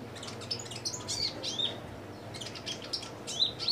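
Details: A kolibri ninja sunbird kept caged with simple care sings busily, with rapid high twittering and squeaky sweeping notes tumbling almost continuously.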